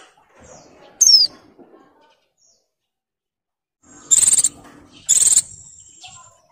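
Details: Female Oriental white-eye in breeding condition calling to males: one high thin descending whistle, then after a pause two loud, short, buzzy trilled bursts about a second apart, with faint background noise.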